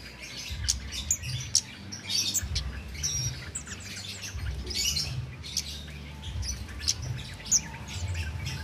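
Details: Cit keres, a songbird recorded as master material for training contest birds, calling restlessly: spaced high chips and short clear whistles in irregular bursts, low background hum and rumble throughout.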